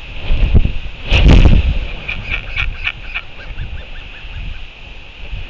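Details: Royal albatross chick during feeding, New Zealand, 25 February 2023. A loud burst is followed by a quick series of about six clipped notes, then softer, lower falling calls. Gusting wind rumbles underneath.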